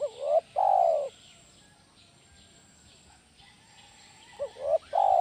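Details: Spotted dove call used as a lure to train other doves: loud, hoarse coos around 500–1000, a short rising note followed by a long falling coo, repeated after a pause, over faint background hiss.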